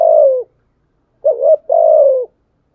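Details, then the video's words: Spotted dove giving a driving fighting coo, used to provoke and challenge rivals. Three low hoarse coo notes: one, then after a pause a short note and a longer descending one. "Thúc gù chim cu gáy bài bản nhất hiện nay. gù thúc bài bản, kích bổi rất riêng gáy, cu đất gù đấu"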